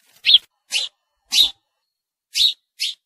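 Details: House sparrow giving five separate loud cheeps, each short and slightly sliding, spaced unevenly about half a second to a second apart in otherwise silent surroundings.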